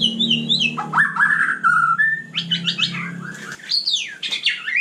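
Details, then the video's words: White-rumped shama singing at night, a varied run of whistled phrases that slide between high and mid pitch, with a steady low hum underneath for the first few seconds. "Kicau malam murai batu super GACOR"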